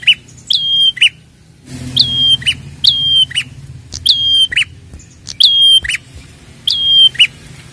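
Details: A red-headed prinia gives sharp, high chirps, each a quick upslurred note with a brief stuttering tail, repeated about every second; a low hum runs underneath.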